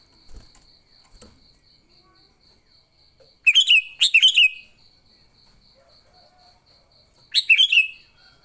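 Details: Sooty-headed bulbul in fighting mode, used to lure other bulbuls: short loud bubbly phrases of two or three notes, bursts around four and seven seconds, over a steady high insect-like whine and faint background thumps.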